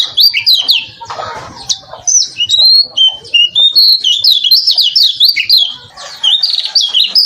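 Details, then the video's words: Varied song of a lemon-bellied white-eye, recorded for training other birds: fast, high chattering whistles and swooping slurred notes in continuous phrases, with a short scratchy noise near the start. "Masteran Kecial Kuning Suara Bervariasi"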